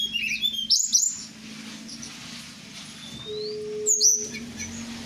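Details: Blue flycatcher (tledekan) from Merapi, kept and played with at night, gives scattered clear whistled notes and high sliding phrases, with quiet gaps between bursts and a low steady hum underneath.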